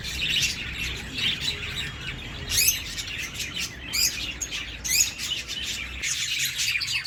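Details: Lively bird chorus of high chirps and quick trills coming in loud bursts every second or so, over soft background noise.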